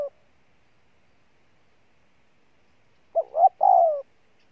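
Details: Spotted dove, wild-caught, giving one cooing phrase near the end after a long silence: two quick rising notes, then a drawn-out, slightly falling coo.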